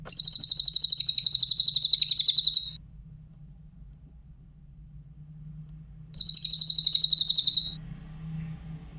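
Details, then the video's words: Grey-headed canary-flycatcher, recorded singing clearly for training other songbirds: two high, fast trills of evenly repeated notes, each lasting about one and a half to two and a half seconds, with silence between. "Masteran burung cililin , suara jernih"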